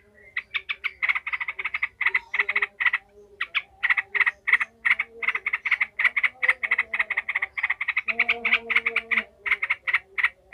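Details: Agitated yellow-vented bulbul chattering ngekek-style, a recording meant to train other bulbuls for fighting: fast strings of clipped, buzzy notes repeated almost continuously for ten seconds, with a soft low droning tone beneath.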